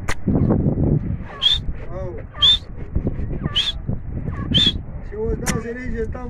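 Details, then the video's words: Grey francolin giving four sharp, shrill high notes, about one each second, over a steady murmur of low voices. "Gray Francolin Awaz"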